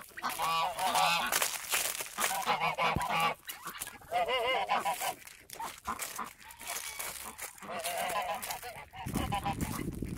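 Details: Emden geese on a farm in winter, protective yard guards turning rowdy and attacking. Loud, harsh nasal honks in rapid, irregular bursts, several birds calling over one another, with short pauses and some background clatter.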